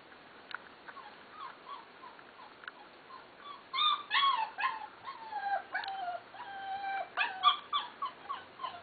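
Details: Fila Brasileiro puppies, black and golden, males and females, whining: faint scattered squeaks at first, then a steady chorus of high, wavering whines and short yelps repeated several times per second, growing louder toward the end.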